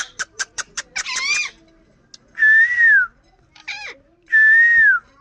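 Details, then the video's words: Indian ring-necked parakeet whistling two long, clear, level notes that fall at the end, separated by a harsh rising squawk, after a run of quick sharp clicks and a wavering call. "Nachral saound parrot indian Ring"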